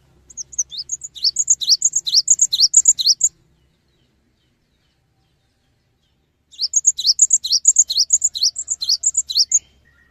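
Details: Cinereous tit singing to encourage other tits to join in, two long phrases of fast, high, alternating chirps, each about three seconds, with a pause of three seconds between them.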